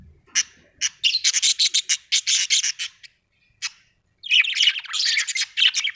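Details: Budgerigars kept at home: bursts of rapid, scratchy chirps and chatter in quick runs, with a short pause midway before the lively twittering warble resumes, dense and high-pitched throughout.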